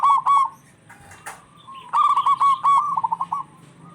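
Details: Local zebra doves in lively back-and-forth song, suited as a lure for quiet or stressed birds: an opening stutter, a short pause with a wing-like thump, then a fast descending run of clipped coos.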